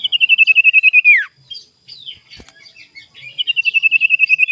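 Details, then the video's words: Sirtu lure song for provoking rivals, recorded in the morning: a rapid train of bright pulsed notes dropping at its close, a gap with faint chirps and a sharp click, then the pulsed train resumes. "PANCINGAN SIRTU GACOR DI PAGI HARI EMOSI CARI LAWAN"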